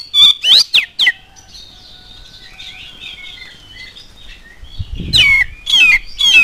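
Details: Oriental magpie-robin song, used as a lure to prompt other magpie-robins to sing: loud, clear whistled notes that sweep steeply up and down, delivered in rapid bursts with a softer warbling passage between them, plus a brief low thump.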